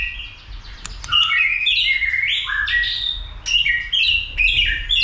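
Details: White-rumped shama stirred to sing and fight: fluent whistled phrases, rising and falling slurs and sharp high notes delivered in quick succession.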